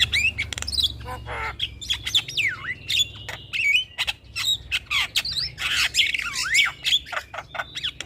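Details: Javan myna song played as a lure to restart stressed birds that have gone quiet: squawks, bent whistles that sweep down and up, and rapid clicks mixed together.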